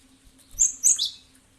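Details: Cinereous tit, known locally as gelatik batu, used as a lure sound to draw other birds into answering: a short burst of two or three sharp, very high chirps.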